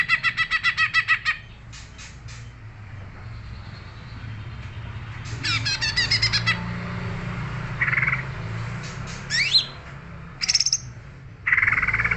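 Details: Greater green leafbird song of varied segments: rapid buzzy pulsed trills, short harsh bursts and quick sweeping whistles separated by pauses, with a low hum underneath.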